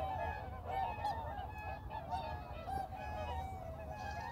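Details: Whooper swans at Baedalji reservoir trumpet in a continuous overlapping chorus of mid-pitched, nasal honks, several birds calling at once over a low rumble of wind or water.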